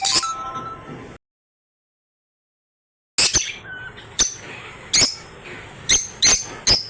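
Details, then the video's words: African lovebirds chirping and calling: a brief tonal note, a pause of silence, then a run of sharp, high, squeaky chirps spaced about half a second to a second apart. "African Love Birds Sounds effect | LoveBirds Sounds to attract Birds"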